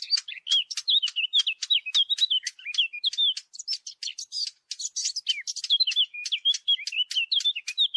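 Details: Warbler, known locally as the fig bird, used as a lure sound for hunting: dense, rapid high chirps and short twittering notes that bend up and down, overlapping almost continuously without pause, with no other sounds.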